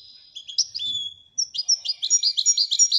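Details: Royal-type European goldfinch: a drawn high whistle and a few chirps, then a quick steady series of bright repeated twittering notes.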